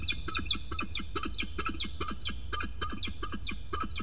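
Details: Agitated female peregrine falcon at a nest ledge on 6 May 2022, defending it against a stranger falcon: harsh, rapid cack-cack calls repeated about twice a second over steady low rumbling background noise.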